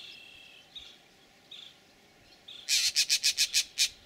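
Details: Green jays giving their snake alarm at a bullsnake at Laguna Atascosa National Wildlife Refuge, Los Fresnos, Texas, April 12, 2017: faint whistles at first, then a burst of about eight loud, harsh, rasping notes in quick succession.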